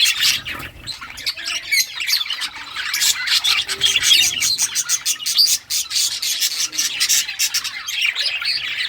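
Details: Budgies of rare colours at play with their toys, giving a steady stream of harsh, raspy chatter punctuated by sharp chirps and brief dips into quieter moments.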